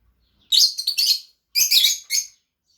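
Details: Two pet Fischer's lovebirds chatter in two dense shrill bursts of rapid, scratchy chirps run together, each lasting nearly a second, in a quiet setting.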